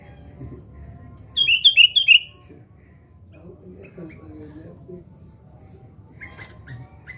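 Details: Sooty-headed bulbul during fight-mentality training: a quick burst of five bubbly whistled notes near the middle, then faint murmuring and a few thin high notes at the end in a quiet room.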